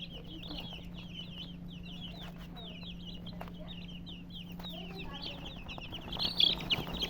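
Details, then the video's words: Several colored chickens chirp rapidly, about three peeps a second, each a thin downward slur, steady all the way, ending in a louder burst; a faint mains hum runs beneath. "silly chicken chirping sounds with murgi hen color chicken"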